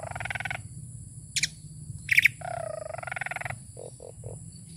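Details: Asian pied starling, a tame bird, delivering a varied song: a mid-pitched warbled phrase, two sharp high bursts, a longer wavering whistle, and three short low notes at the end, with a constant low background hum.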